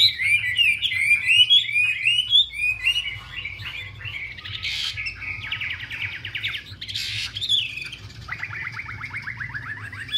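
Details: Chinese hwamei, a female dancing and fanning to stir up the male: loud varied whistled song of sliding notes, then buzzy rapid trills and a long descending rattle near the end, over a low steady hum.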